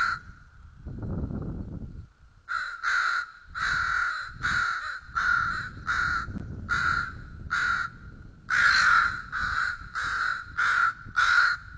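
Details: Bald eagle eaglets begging at a feeding at White Rock, early morning at 06:15: a loud series of harsh, harmonic calls repeated roughly every half second, after a low rumble at the start.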